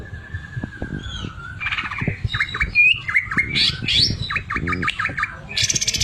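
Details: Greater green leafbird in vigorous song with sewing-machine imitation, opening with a long level whistle and then a run of dipping whistled notes, buzzes and a harsh rattling burst at the end.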